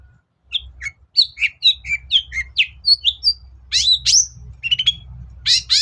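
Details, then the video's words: Lure song of a long-tailed shrike, used to provoke reluctant birds into singing: a fast series of sharp chirps and sweeping whistles at shifting pitch, then rising slurred notes and scratchy rasping bursts, over a low steady hum. "BURUNG CENDET GACOR || SUARA PIKAT CENDET SUSAH BUNYI"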